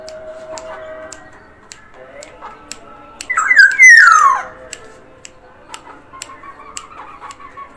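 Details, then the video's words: Actively singing black-naped oriole from Sumbawa gives a single strong, grating, downward-sweeping phrase midway, surrounded by regular sharp clicks and quiet humming tones. "kepodang sumbawa gacor variasi NFS"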